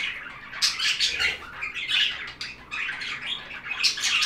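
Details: Budgerigars chirping in relaxing budgie sounds: continuous scratchy warbling and buzzy chatter mixed with high squeaky notes and short squawks, in overlapping bursts with brief dips.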